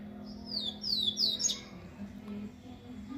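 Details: Double-collared seedeater singing a short phrase of quick high slurred whistles falling in pitch, ending in a sharp note, then quiet with steady low hum.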